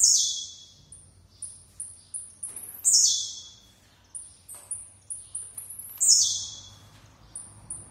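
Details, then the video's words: Blue-black grassquit repeating its song about every three seconds: quick high chips building up, then a strong buzzy note dropping in pitch. Three full phrases in all. "TIZIU DANDO UM SHOW"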